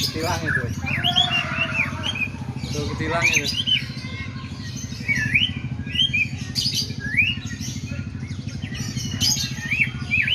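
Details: White-rumped shama mimicking the sooty-headed bulbul. It gives scattered loud, rising and looping whistled phrases over a steady low engine hum, with some chatter and voices in the background.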